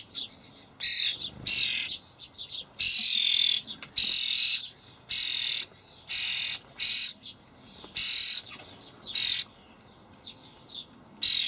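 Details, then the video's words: Juvenile common starlings clamouring for food as parent birds feed them dried buffalo worms in a Hamburg allotment garden on 28 May 2012: a long, insistent run of some fifteen raspy, hissing screeches with short calls between. "junge Stare (Sturnus vulgaris)"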